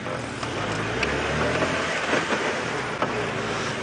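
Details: Steady engine rumble from a safari vehicle on an afternoon drive, with faint broken speech and no animal calls.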